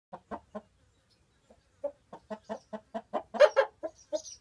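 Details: Chickens gone home to roost in their chicken house in the middle of the day, clucking in complaint at a person in their bedroom; quick low clucks, a few at first, then a rapid run rising to louder squawky notes.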